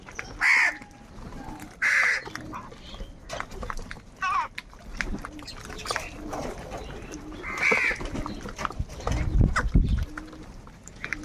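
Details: Crows squabbling for food give scattered sharp, hoarse caws, two close together at the start and another later, amid clicks and low thuds.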